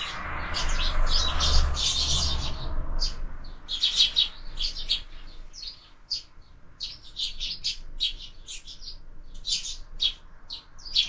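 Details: Brawling sparrows at a window feeder with year-round feeding give rapid, crowded high chirps, nearly four per second, with a low rumble early on.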